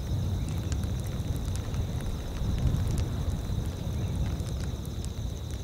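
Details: Steady low rumble of wind or rain across open tundra with faint scattered ticks and no animal voices.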